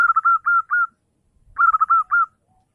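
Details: Zebra dove singing in the morning, used to lure rival birds: two clean bursts of rapid stuttering coos followed by longer sliding whistled notes, each phrase under a second, with a quiet pause between and no other sounds.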